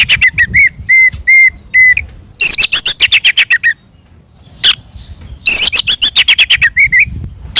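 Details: Oriental magpie-robin in loud fighting 'ngeplong' song, used to provoke other magpie-robins into answering: sharp repeated whistles and harsh rapid chattering bursts separated by brief pauses, over low background rumble.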